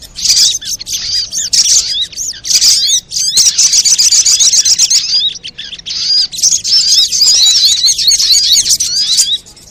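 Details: Busy sunbird lure calling meant to make birds sing: rapid, high, repeated chirps in long chattering runs, a few brief pauses splitting the flow.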